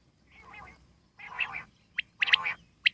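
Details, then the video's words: Wild common quail, jungli batir: two soft nasal buzzy calls, then sharp clipped notes with a burst of a louder harmonic call in between. "Common quail wild life sound /jungli Batir ki awaz"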